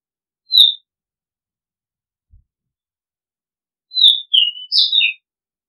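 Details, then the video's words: Oriental magpie-robin giving one short whistled note, a long pause, then a quick run of clear whistles that dip and rise before ending on a lower note; otherwise quiet. "Oriental Magpie Robin Sound Long play เสียงร้อง นกกางเขนบ้าน"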